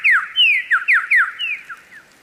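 Lyrebird song: about seven clear, falling whistled notes in quick succession, loud at first, then fading. Faint background hiss only.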